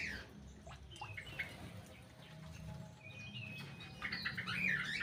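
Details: White-rumped shama released into an aviary and settling into its new home; scattered chirped notes, a steady level whistle held for about a second midway, then a busy burst of varied warbled notes at the end over low background rumble.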